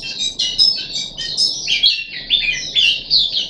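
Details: Puff-backed bulbul kept as a cage bird, third day of deworming, 14 July 2021: dense high chattering warble, briefly breaking off mid-way before resuming with bright, squeaky, tumbling phrases.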